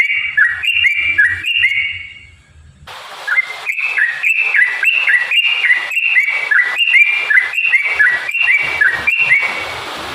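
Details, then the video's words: Lively yellow-vented bulbul song serving as a lure to set other bulbuls singing: short clear whistled phrases, each rising then dropping, repeated rapidly and almost continuously across the whole recording. "kicau burung trucukan gacor cocok untuk pancingan trucukmu"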